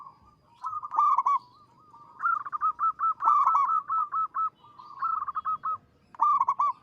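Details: Zebra dove of a local strain, said to sing tirelessly with a big, long, melodious voice, repeats rhythmic phrases of staccato cooing notes, each run of evenly spaced coos ending in a stressed final note.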